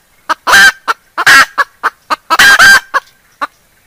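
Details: Hen and chicks exchanging calls: a handful of loud, raspy squawks, some doubled, mixed with short softer clucks, set against quiet gaps.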